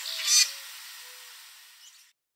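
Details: Common Grackle perched in a backyard tree late in the evening in Southern Ontario, Canada, spreading its wings as it calls: one loud, harsh, grating squawk lasting about two seconds, loudest at the start, then fading.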